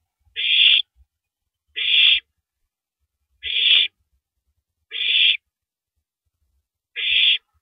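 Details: Owl shredding and swallowing a big rabbit at 3:33 AM on April 9, 2012, gives five harsh, breathy hissing screeches, each about half a second, spaced one to two seconds apart, with faint low thumps between them.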